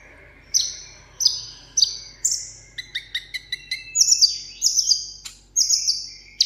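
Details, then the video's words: Solo contest singing from a caged sunbird ('hút mật 7 màu'): spaced high, thin whistled notes that slide downward, followed by a faster string of sharp chirps and clipped trills. "hút mật 7 màu hót đấu solo"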